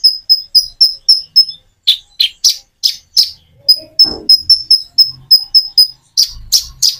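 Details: Common iora song used as a lure, paced with natural pauses so listening birds reply: clear high whistled notes repeated about four times a second, alternating with harsher buzzy chips, and a brief low knock in the middle.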